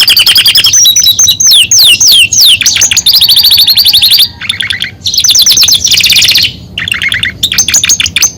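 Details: A Belgian canary sings loudly and without stopping. Sweeping whistled slurs give way to rapid rattling trills and bright chattering rolls at a high pitch, broken by a few very short gaps.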